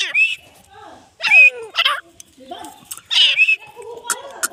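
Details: Grey francolin (Ortygornis pondicerianus), call.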